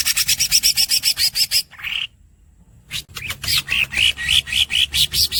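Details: Greater green leafbird, known as green cucak, pouring out a fast buzzy roll of harsh pulses. It breaks off with a rising squeak and a second of silence, then resumes with squeaky whistled notes repeated about four times a second.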